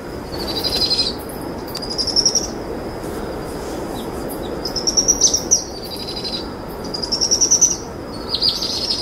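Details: Begging trills from two powerful owl chicks being fed a brushtail possum by their mother in the evening; high, buzzy, rapidly pulsed bursts of about a second repeat every one to two seconds against soft background noise.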